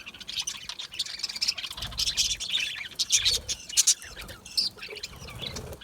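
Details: Chorus of budgies, colourful Australian parrots kept in an aviary, giving busy high-pitched chirps and warbles that overlap continuously, with brief louder squeaky accents and faint low background noise.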